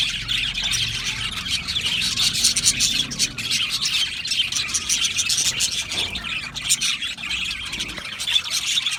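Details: Aviary colony of budgerigars producing continuous overlapping chirps and twittering warbles, a steady high-pitched chorus with no pauses.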